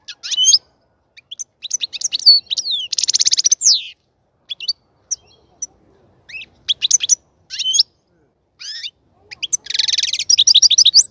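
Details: European goldfinch singing in a cage being prepared for breeding: fast twittering bursts of high chirps and tinkling notes, with two buzzy rattling trills near the middle and end, separated by short pauses.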